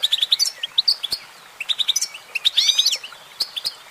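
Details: Female goldfinch song of quick, evenly spaced bright chirps in short strings, mixed with liquid downslurred notes and a brief buzzy flourish.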